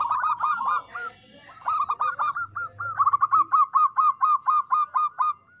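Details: Zebra dove of local stock, singing to coax reluctant doves into song; a quick series of clipped, bouncy cooing notes, then a long steady run of evenly spaced coos, about two per second.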